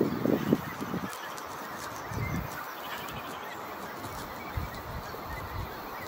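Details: Pied shag at Zealandia, Wellington, New Zealand, giving low, guttural croaks, a quick burst at the start then scattered grunts every couple of seconds, over a steady background hiss.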